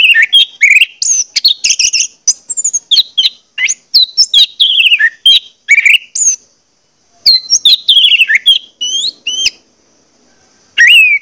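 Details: Orange-headed thrush song meant to get birds singing: a long, rich, varied run of whistled phrases, quick chirps and downward slurs, with a brief pause before a final falling whistle.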